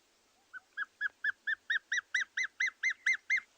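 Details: Dark Chanting Goshawk phone recording played on a morning safari, 19 July 2020, while a juvenile was being watched: about twelve clear piping whistles, four or five a second, growing louder and slightly higher.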